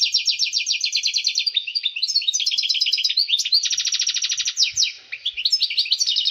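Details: Goldfinch at peak readiness singing excitedly to push females toward mating; unbroken stream of rapid, high-pitched twitters and chirps with a rasping buzzy trill in the second half.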